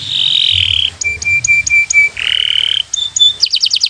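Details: Bottle-green local canary singing as a tutor for young birds: a sustained buzzy tone, a row of short clear pips, another drawn-out nasal note, then brief high trilled bursts.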